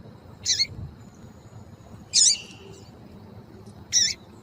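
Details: A female double-collared seedeater gives three short, buzzy, high chirps roughly every one and a half to two seconds, a call meant to fire up males into song. A faint steady hum runs underneath.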